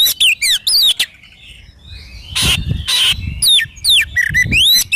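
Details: Oriental magpie-robin in full song for training and morning or evening therapy: clear descending whistles, two loud rasping bursts, then sweeping slurred whistles that rise and fall, with faint low rumble beneath.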